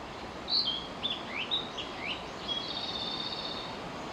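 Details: Narcissus flycatcher singing: a run of clear whistled notes, some sliding up, others dropping, then a longer, even, slightly buzzy note near the end, over steady hissing background noise.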